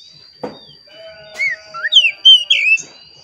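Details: Song of an Oriental magpie-robin, played to make caged birds sing: a click, then a run of sweet slurred whistles rising in loudness, with a steady faint background tone.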